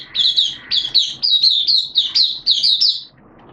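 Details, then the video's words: Oriental white-eye in a cage, hobby songbird giving 'buka' open song on 11 September 2022 in wet, erratic weather: a short run of rapid, high chirped notes in even pulses, ending quietly. "Mata Puteh T-Rex Buka Sing"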